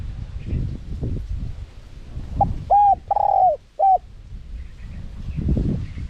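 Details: Small-voiced spotted dove in the 'karom pa' wild style with 'ku ang' ending, recorded to lure wild doves. One phrase: soft lead note, a steady coo, a longer drawn coo and a short closing coo, flanked by low background noise.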